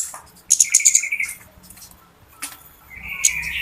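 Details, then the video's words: Flowerpecker lure call used to attract birds for trapping: short bursts of very high, thin ticking chirps with a buzzy lower trill, separated by a quiet gap of about a second, then another rapid high burst. "SUARA PIKAT BURUNG KEMADE RIBUT/ BURUNG CABE-CABEAN"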